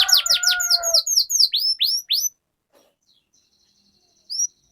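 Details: Canary song for training young canaries to sing; a few downward-sweeping notes overlaid briefly by lower whistles, then silence after two seconds with one last faint note.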